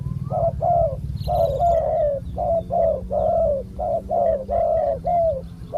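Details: Wild spotted dove with a big, deep coo, recorded while decoy-luring: a steady run of short hollow coo notes, each slightly falling, about two per second, with a low rumbling background.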